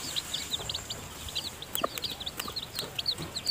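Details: Thin, high, rapidly repeated peeps from newly hatched chicks still too weak to leave the nest, heard while the hen feeds them, with a few soft clicks.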